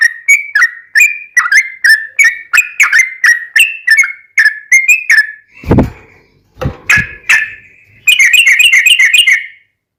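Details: Yellow-vented bulbul song serving as a lure to make captive birds sing: a steady string of slurred whistled notes, a few loud clicks or knocks midway, then a fast bubbling trill near the end.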